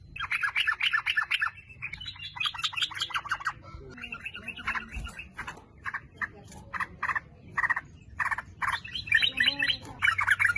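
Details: Sooty-headed bulbul lure recording meant to set other bulbuls singing. Fast chattering bursts open and close the passage, with separate short notes spaced about half a second apart in the middle.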